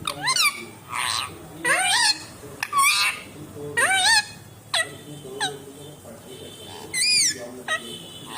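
An Indian ringneck parakeet talks in a run of short, raspy, speech-like phrases with swooping pitch, about one every second, in a quiet room.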